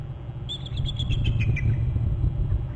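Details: Eagle alerting at its Hornby Island nest territory on January 11, recorded by a nest camera: a single short run of sharp, whistled chips descending steadily, set against heavy low-frequency background rumble.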